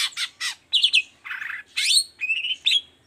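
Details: Varied song of a long-tailed shrike in the 'toet toet' style, played to make other shrikes sing: rapid harsh chacks, twangy double whistles, a grating buzz and steady whistled notes in fast mixture.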